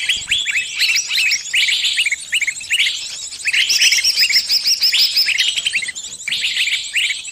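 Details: Bird pinned and calling friends to help, heard as a continuous flurry of shrill chirps and rising twitters, several voices overlapping, easing briefly near six seconds before resuming.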